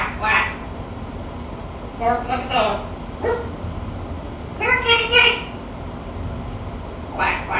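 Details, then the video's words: Pet macaw talking, with harmonic, voice-like bursts near 0.3, 2.0–2.7, 3.3, 4.7–5.3 and 7.3 seconds. Some bursts suggest mimicked dog barks. A steady low hum of room noise runs underneath. "THE TALKING MACAW"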